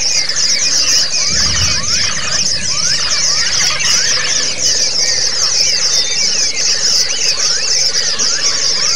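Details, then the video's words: White-eye (pleci) singing a continuous run of high, thin twittering and trilled phrases with quick rising and falling notes, over a steady hiss; used as audio training so a white-eye that only twitters learns long trilling song. "burung Pleci yang cuma ngeriwik jadi lasrol ( ngalas dan ngerol )"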